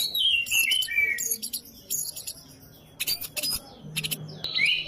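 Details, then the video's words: White-rumped shama, young forest-caught bird, master recording for training songbirds: opens with loud descending whistled phrases, followed by scattered clicks and sharp chips, pauses, then a final rising and falling whistled flourish. "Masteran Murai Batu Muda Hutan"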